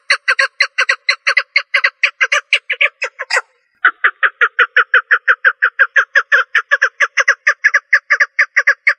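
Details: Steady train of short, grating notes from a female partridge, around two per second, interrupted by a harsh scraping burst and short gap before resuming.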